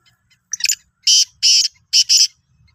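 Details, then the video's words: Sindhi black francolin (kala teetar) on 16 March 2023 giving a clean, loud call: a short scratchy note followed by four harsh buzzy bursts in two pairs, little else audible. "Kala Teetar ki Awaz"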